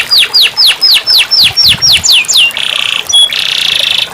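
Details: Canary song used as therapy for a silent canary: a row of clear descending slurred whistles at about four per second, breaking into a dense buzzy trill and a short steady whistle.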